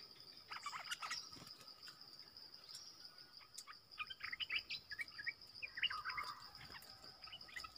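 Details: Streaked bulbul calling in forest, part of a whole family that came to a lure, with a few early chirps then a busier second half of sharp twittering notes against a continuous cricket-like drone.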